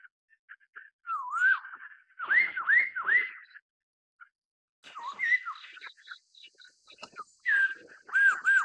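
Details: Black-throated laughingthrush (Garrulax chinensis), an introduced exotic species in Taiwan, giving loud, mellow whistled phrases with slurred up-and-down notes in bursts of about a second, with brief gaps between them.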